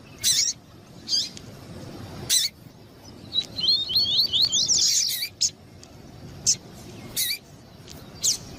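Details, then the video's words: Double-collared seedeater (coleiro tuí-tuí) alongside a female calling to excite the male: one brisk phrase of repeated upswept whistles, surrounded by scattered, loud clicking chips. "ESQUENTAR COLEIRO TUÍ TUÍ COM COLEIRO TUÍ-TUÍ E FÊMEA CHAMANDO PARA ESQUENTAR COLEIRO TUÍ-TUÍ"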